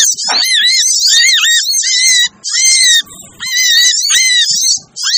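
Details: Busy sogon (sogok ontong) bird lure sound for attracting birds that are hard to lure: long runs of shrill, buzzy twittering over a wavy whistled undertone, with one break near the middle.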